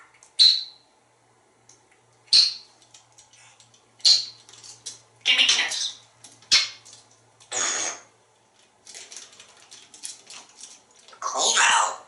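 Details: Talkative pet African Grey Parrot kept indoors at a home in Texas, making requests for food, raspberries and kisses. Several sharp high whistled notes open, followed by a string of squawky, speech-like phrases in a small room.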